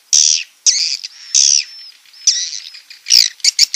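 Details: Swiftlet roosting call used as a lure: harsh, buzzy chirps in quick bursts with a thin whistle between them, rising into a rapid twittering run at the end.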